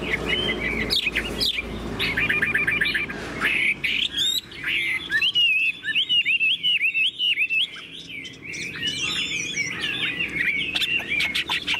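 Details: A tame, caged Chinese hwamei opens with rattling, buzzy notes, then pours out a fast series of clear, swooping whistles and twisting warbled phrases.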